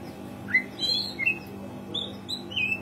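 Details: Oriental magpie-robin singing as a lure for birds that rarely sing. Scattered, softer whistled notes: short upslurs and brief trills at intervals. The bird is quieter against a steady background hum.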